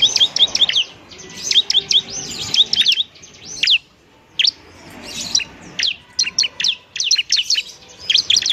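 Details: Bar-winged prinia (ciblek), semi-active singer serving as a model for training birds, pouring out high chirps and slurred whistles in rapid strings with several short pauses over eight seconds.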